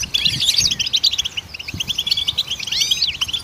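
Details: Goldfinch song for training songbirds: rapid, sparkling high notes and short buzzy trills, with a couple of looping, swooping whistles toward the end.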